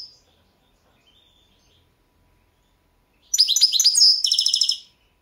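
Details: Balkan goldfinch competing in a 2022 world championship of goldfinch song: after near silence, a rapid, tinkling, twittering phrase with buzzy trilled notes, lasting about a second and a half.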